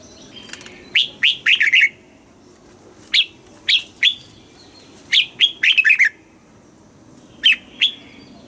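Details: Red-whiskered bulbul from Thailand, kept as a cage bird, singing a southern master-song style used to excite caged birds and teach young ones: three bursts of quick, bright, warbled phrases with rising and falling whistled notes, separated by pauses.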